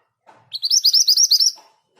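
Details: Mantenan gunung, the Scarlet minivet, giving its ngerol rolling song at even speed: a brisk series of about eight ringing, upward-sweeping whistles, preceded and followed by faint low rustling.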